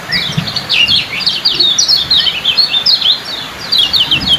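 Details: Yellow-bellied prinia (kecial kuning) kept as a competition songbird, singing in fast 'ciak' style: rapid, dense run of sharp, high, zigzagging chirps repeated several times a second without pause. A faint low murmur sits underneath.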